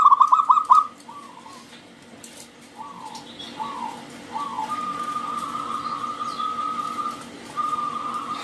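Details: Local wild zebra dove singing to draw other doves into song; a quick staccato trill opens, then softer short coos and a long, even, faint note fade against background noise.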